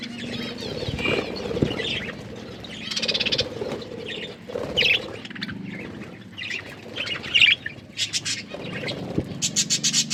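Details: Several budgerigars chirp and squawk while eating green food, with scattered harsh notes and a closing run of crisp clicks over a low hum.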